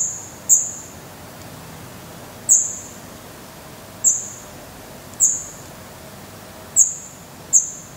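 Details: Black redstart nestlings in Portugal on 16 May 2020, camera near the nest; sparse, isolated high sharp peeps, about seven spread over eight seconds, with long quiet gaps and soft background hiss.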